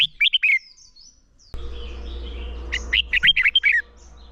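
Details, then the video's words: Red-whiskered bulbul morning song for voice training toward competitive singing: a quick warbled phrase, a pause filled with low rumbling background noise, then a longer burst of bright chirping notes. "Chào Mào Hót Đấu - Kích Chào Mào Hót Sáng Luyện Giọng Bổi Hót Đấu Căng Lửa"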